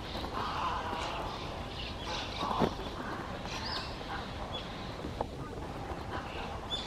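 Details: A young crow, eyes still blue, practising its voice in June 2020, gives odd, nasal, quacking caws: a few scattered calls with one louder burst midway, perhaps a first "aho" word, over steady outdoor background noise.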